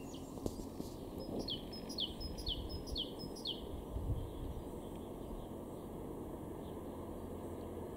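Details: A great tit in a garden in Weener, East Frisia, northwest Germany, in April 2023, sings a short run of six clear, high, downward-sliding whistled notes, about three per second, over steady low rumble and faint high hiss.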